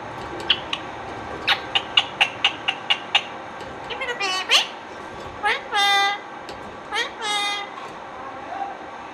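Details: Indian ringneck parakeet talking: a run of about ten sharp clicks, then several drawn-out, high, harmonic speech-like words, some rising then falling, and a faint final syllable.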